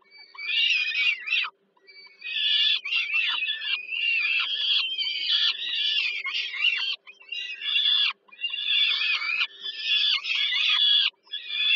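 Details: Peregrine falcon young at a Warsaw nest site, Poland, begging during an evening feeding by their mother on 15 July 2022; long series of harsh, rasping screams in overlapping bursts broken by brief gaps, steady low hum behind.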